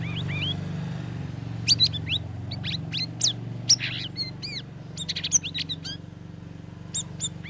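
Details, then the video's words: Sooty-headed bulbul (cucak rawis) singing after three weeks of conditioning care chatters in quick bursts of sharp, rising chirps and bright high notes, over a steady low hum. "CUCAK RAWIS NGERIWIK NGEPLONG"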